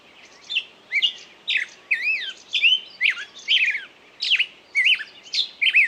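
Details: High twittering bird song, a series of sharp chirps and curving whistled notes, about two each second, clear and close against a quiet background.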